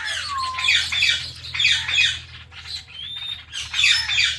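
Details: Pet Indian ringneck parrots, one of them blue, kept together: harsh, raspy squawking bursts in four loud groups about a second apart, with a few thin whistled slides between them.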